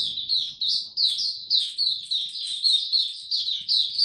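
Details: Oriental white-eye ramping up form with buka tiong aw singing, recorded 3 January 2022. An unbroken stream of high, sweet chirps and slurred whistles, roughly three to four notes a second, with little else heard.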